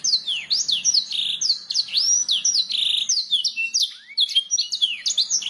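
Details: Canary masteran song aimed at making birds sing: rapid series of sweeping high whistled notes and buzzy trills, with a brief pause then a rising slur and more quick whistles.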